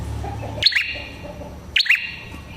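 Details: Red-headed prenjak prinia in lively song used for luring prinias: two sharp two-note chirps about a second apart, high then lower and buzzy, above low hum and faint murmuring.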